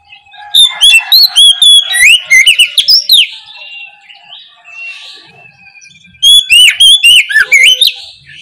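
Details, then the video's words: Oriental magpie-robin singing boldly in the morning as a lure for reluctant birds: rapid strings of loud, piercing whistled notes with downward and upward slurs, a quieter warbled interlude, then another loud rapid burst. "KICAU PANCINGAN KACER NGEPLONG DI PAGI HARI, BUAT PANCINGAN KACER Malas bunyi supaya LEKAS NYAUT!"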